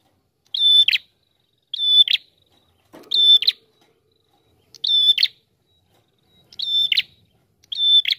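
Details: Prinia song, ngalun rapat style: six phrases, each a steady high whistle ending in a buzzy rattle, at slightly uneven intervals of about a second. A brief low scuffing noise is heard midway.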